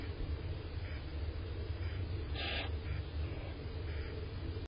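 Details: Barn owl (Tyto alba) hatchlings give harsh, hissing, snore-like begging bursts, about five in under five seconds, one louder than the rest, over a steady low rumble.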